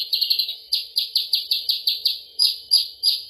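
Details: Lure recording for attracting sooty-headed bulbul: a quick stutter of high notes, then evenly spaced, sharply descending chirps about three per second, clear against a quiet background.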